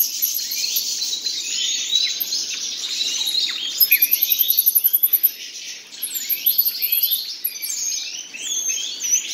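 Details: Common nightingales, a pair, singing a busy medley of rich warbled notes, with a fast, even run of about a dozen repeated pulses midway, followed by rising slurred phrases and high thin whistles.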